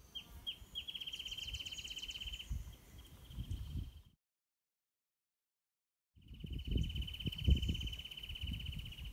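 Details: A territorial wrentit in Hazard Canyon gives a few sharp introductory notes, then a long, even, fast trill on one pitch with its tail vibrating, repeated after a gap. Its normal trill lasts about 2.83 s and one extended trill about 9 s. Low rumbling background.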